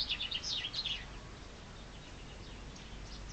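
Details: In spring a chaffinch delivers the end of a rapid descending trill, bright high notes tumbling downward for about a second, then quiet with faint distant bird notes.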